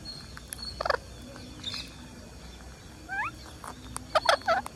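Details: Green parakeet calling as it feeds: short, rasping, broadband squawks, then a pair of quick rising whistled notes, followed by a cluster of harsh calls near the end, all against a low background hum.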